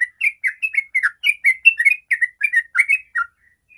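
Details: Rapid 'ropel' song of a sooty-headed bulbul, meant to prompt other bulbuls into song: a fast run of slurred, chattering notes that stops abruptly, followed by a few faint trailing notes.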